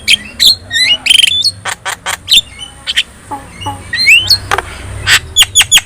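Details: Yellow-eyed Javan myna in full song as a master recording for training birds: rising whistles mixed with harsh clicks and squawks, loud and irregular, a thin constant tone above and low hum below.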